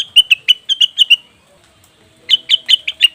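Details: Leafbird calls used as a lure for wild birds: a quick string of bright, clipped chirps, then more than a second of silence before a second similar burst.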